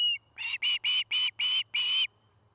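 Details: Osprey at a Charlo, Montana nest, recorded by a nest camera on the afternoon of 09-05-2018: six loud, drawn-out whistled notes, each slightly rising and ringing, in quick succession, then quiet with a low electrical hum.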